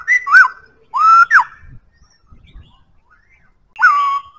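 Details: Black-throated laughingthrush singing: loud clear whistled phrases, a short rising-falling note pair, then after a pause a single swooping whistle dropping into a level tone, with quiet gaps between.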